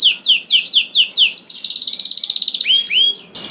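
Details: Canary song for encouraging other canaries to sing: several descending whistled slurs, then a rapid even buzzy trill, closing with two clear rising whistles.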